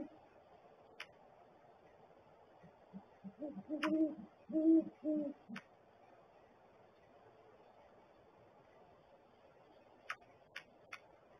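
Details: Nesting great horned owls give a brief cluster of three low hoots midway through an otherwise quiet stretch, with scattered sharp clicks before and after.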